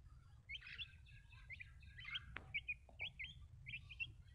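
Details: Small baby chicks giving soft high cheeping notes in a loose series, with a couple of brief knocks partway through and a low background rumble.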